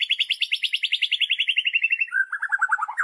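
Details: White-rumped shama (murai batu) singing a loud kretekan, the rattling style used to provoke other shamas into singing: a fast, even rattle for two seconds, then a lower run of choppy notes.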